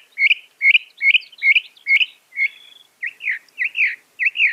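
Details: Northern mockingbird, a well-known mimic, singing a quick run of five identical chirps, a short buzz, then a series of rising-falling slurred notes repeated about twice a second.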